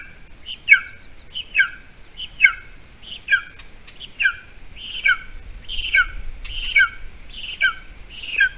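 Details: Golden eagles at a nest in Latvia, on an island near a bog, on 28 June 2020 at 8:46 a.m., as the adult female brings a mouse to the chick. Repeated squeaky, down-slurred whistled calls, roughly one per second, with a few sharp clicks.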